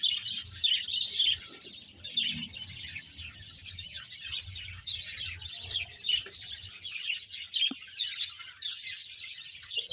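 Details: Budgerigars, a breeding colony of about 100 pairs in Bahawalpur, giving dense, continuous high chirping and warbling chatter throughout, with many birds calling at once and a low hum underneath.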